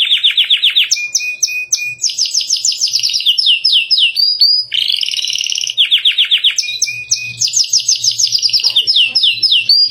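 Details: Captive canary in lavish, varied song used as a master recording: rapid trills, sustained whistles and stuttered notes changing every second, with a dense buzzy roll near the middle.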